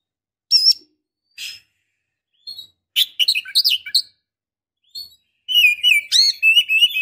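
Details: Female Oriental magpie-robin calling to a male, used to make males excited and singing. Scattered whistled notes and harsh bursts, then a dense run of sliding, warbling whistles in the second half.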